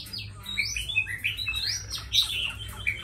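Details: A tame fighting Chinese hwamei sings varied whistled notes, mixing sweeping upward slurs with quick downward flicks and short chattery bursts, each phrase changing from the last.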